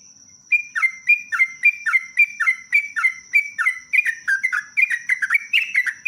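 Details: Loud, continuous sooty-headed bulbul song for use as a lure. A regular series of falling whistled notes, roughly two per second, speeds into a busier, more varied jumble toward the end. A steady high whine sounds throughout.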